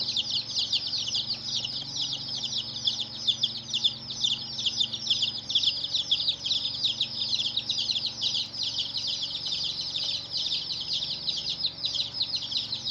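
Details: Crowd of colored chicks chirping nonstop, high piercing peeps sliding downward and overlapping in a dense, even wall of sound, a soft low hum beneath.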